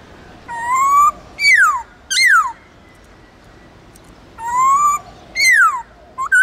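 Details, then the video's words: A white-cheeked laughingthrush of Vietnam's Central Highlands in wild-type song for stimulating other birds: rising whistles followed by long, sharply descending slurs, repeated in two phrases separated by a quiet gap. "Luyện khướu bạc má Hót Giọng Rừng kích khướu hót cực sung/khướu Tây Nguyên hót giọng rừng âm dài rõ"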